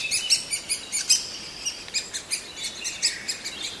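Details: Great spotted woodpecker chick, always hungry, giving high squeaky begging chirps at an uneven pace, about one every half second, over faint background hiss.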